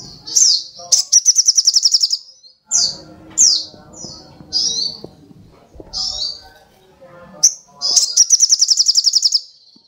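Very high, thin sunbird song: sharp sweeping chips mixed with rapid, buzzy trills, over faint low clatter in the background.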